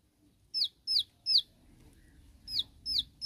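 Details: Bar-winged prinia 'tembakan' song aimed at rivals, quieter here: three high downslurred notes, a short break, then three more, over a soft low background hum.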